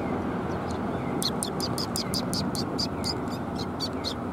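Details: Sparrows arriving to be fed at a Tenmangu shrine, 28 January 2021, give a quick run of sharp, high chirps about four per second after a quiet start, over a steady low background roar.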